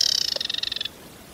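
An Aquatic warbler gives a fast, dry rattle of about twenty high clicks in under a second, then stops abruptly.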